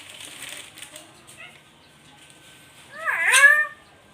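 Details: Nias hill myna: after quiet rustling and faint clicks, one strong harmonic note swoops down and then climbs again, ringing and layered, about half a second long.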